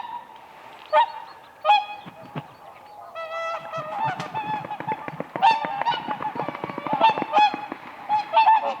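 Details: Whooper swans on the ice of a spring lake while dancing: a few separate trumpeting honks, then a busy chorus of many swans calling over one another.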